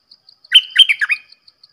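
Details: A single brisk, warbling Red-whiskered bulbul phrase: several clear, slurred notes run together, rising and dropping in pitch, with soft high ticks before and after.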